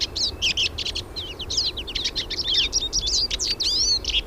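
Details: Several wild hooded siskins singing: dense, continuous high twittering with quick chirps, trills and short whistled slides overlapping, over a faint low rumble.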